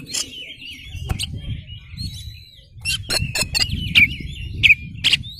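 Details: Oriental magpie-robin singing a lure song with tail spread to make other magpie-robins respond: a thin sustained whistle broken by sharp clicks, then a burst of harsh raspy notes and short twisted whistles, over a soft low hum.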